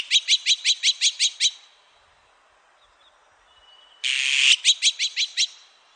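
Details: Azure-winged magpie, recorded 2020 with insect sounds noted, giving harsh, buzzy chattering notes in quick series of about eight, a pause, then another rasping burst and series.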